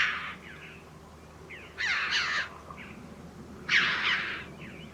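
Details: Red-billed Chough, a scarce resident corvid living in flocks year-round near its nesting sites: three harsh, ringing, high-pitched calls with downward slurs, spaced about two seconds apart, with fainter shorter notes between them over a quiet background.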